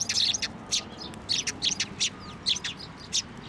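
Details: Sparrows at a Tenmangu shrine in Japan, 23 November 2023, flocking to a hand for food; a busy run of bright, high chirps in short bursts, several birds calling together, with faint background noise.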